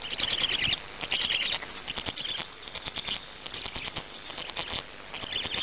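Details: Black stork storklet on the nest in Hungary's Gemenc area, live stream, 10 May 2019 at 17:51, after swallowing a big fish; buzzy high-pitched grating calls in bursts, strongest at the start, then softer irregular chatter.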